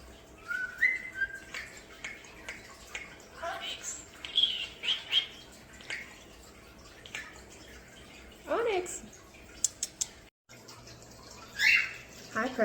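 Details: Pet common starlings in an indoor bird room give a varied jumble of clear whistles, squeaks and chattering, with raspy speech-like talking phrases mixed in, including a new whistle.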